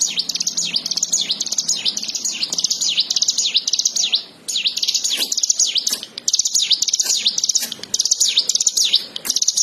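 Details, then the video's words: Plain prinia (ciblek sawah) singing energetically: long bursts of rapid, high-pitched, V-shaped chirps in a dense chatter, broken by two short pauses, with a faint low background hum. "ciwah! ciblek sawah gacor"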